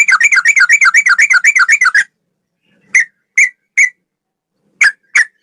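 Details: Male sooty-headed bulbul delivering a fast rolling ropel trill of rapid warbled notes for two seconds, followed by a few spaced single sharp notes.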